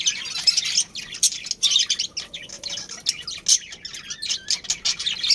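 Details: Captive budgerigars, a breeding pair in a colony setting, give rapid high chirps and squawky warbles in dense overlapping bursts, with brief pauses between clusters.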